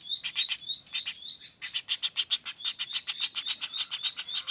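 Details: Young common flameback giving a rapid rolling call of harsh high notes, interspersed early with thin rising whistles, then quickening into a steady chatter of about three and a half notes per second.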